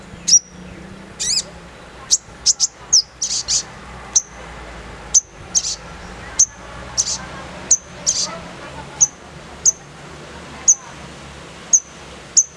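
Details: Sogon (crimson sunbird) in a rough 'nembak' style song: sharp, very high chipping notes with a downward flick, some doubled, mixed with short buzzy rattling bursts, spaced irregularly about once a second over faint background hum.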